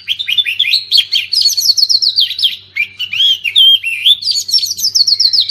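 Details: Oriental magpie-robin song, used to coax silent birds after moulting into singing: continuous fast, varied whistled phrases with slurred rising and falling notes and sharp chirps, with a brief pause midway before the lively run resumes.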